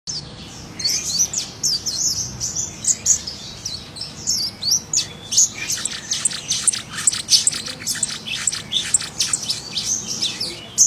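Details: Scarlet minivet singing actively in the wild: dense, high, thin chirps and short sweeping whistles, fast and overlapping, nearly continuous after the first second, with faint low background rumble.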